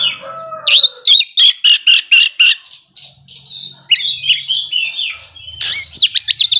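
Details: Oriental magpie-robin song to provoke rival birds; a steady run of about a dozen clipped notes, then rambling warbled whistles and a fast closing flourish.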